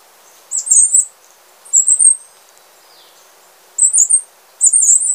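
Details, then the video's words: High-pitched Wrenthrush song from a species resident in Panama and Costa Rica: four bright, buzzy, quavering bursts in quick succession, each under half a second, with short pauses between and a soft hiss behind. "O canto do Pula Pula de Rabo curto ( Zeledonia Coronata )"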